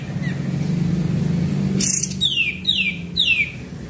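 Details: Sooty-headed bulbul song used as a lure: three clear whistled notes sliding sharply downward in the second half, following a loud low engine rumble and a brief noisy burst.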